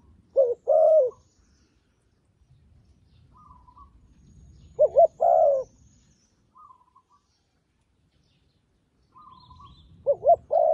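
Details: Decoy dove cooing to call wild doves down to a trap: bursts of rapid doubled notes and a longer coo come every few seconds, with a thin high chirping from another bird between them.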